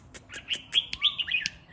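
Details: Red-whiskered bulbul singing in the morning, a quick run of bright warbled and whistled notes with sharp clicks, lasting under two seconds; a man's voice urging on the bird is heard around it.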